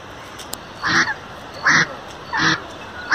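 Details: An Indian spot-billed duck at Lalbagh Lake, Bangalore, gives four loud, harsh, nasal quacks, roughly one every three-quarters of a second, over a faint steady hiss.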